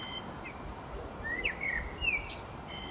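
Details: Common blackbird giving a brief fluty warble of several gliding whistled notes, then a quick high squeak, against low rumbling background noise.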